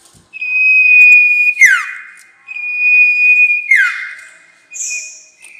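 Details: Sirtu trapping lure call: a sustained, level, high-pitched whistle held for about a second, then a sharp descending sweep. It is heard twice, followed by a short, higher, hissing note.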